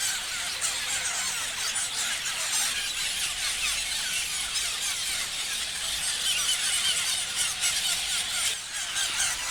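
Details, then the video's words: Many parrots chirping at once, a dense, unbroken wash of high, scratchy chatter and squeaks with no pauses. "Parrots chirping sounds"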